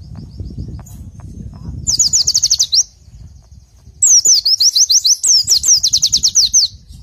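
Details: Oriental white-eye song used as training material. Two bursts of rapid, high, downward-sweeping notes are heard, a short one and then a longer run of about fifteen notes, over a low rumbling background.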